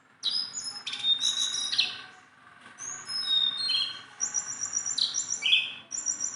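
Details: Tame Sunda bulbul, a hand-friendly bird, pouring out varied high whistles, short trills and slurred notes in bursts separated by brief pauses.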